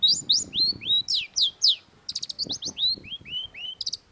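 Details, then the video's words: Long-tailed shrike in full song: a run of loud downslurred whistles given about every quarter second, then a quicker series of short clipped notes and more slurred whistles, near and clear. "cendet gacor PALING BANYAK DI CARI !! CENDET MU IKUT GACOR || Long-tailed Shrike"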